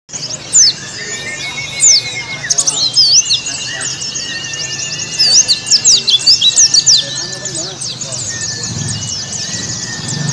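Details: Oriental white-eye song in the ngalas style, played as therapy to get silent birds singing: dense bursts of high, thin, rapid chirps and twitters, with a steady faint whistle-like tone running underneath.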